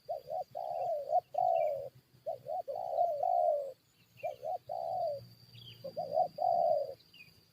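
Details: Spotted dove luring session with wild birds drawn into a fight: loud hoarse cooing phrases in bursts, each a few short notes then a longer slurred coo, with pauses between series, a steady high whine and faint chirps of small birds.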